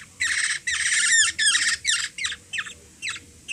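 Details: Young Black-naped oriole from the Philippines, hungry and fed by a three-year-old girl, gives long loud grating squawks with downward slurs, then shorter harsh calls spaced out.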